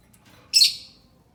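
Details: A single short, shrill screech from a lovebird, played to lure other lovebirds, rising out of a faint low hum.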